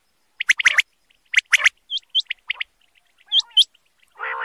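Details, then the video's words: Male common quail calling: short sharp notes near the upper-middle range, bunched in quick groups of two or three, with higher hooked chirps and a final nasal, buzzy burst; silent gaps between phrases. "common quail calling"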